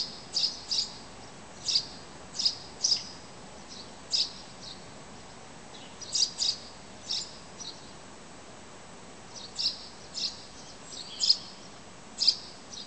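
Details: Birds chirping outside a window at five in the morning in early summer in Zarinsk; short high bright chirps in small clusters every second or two, with a quiet steady background hiss.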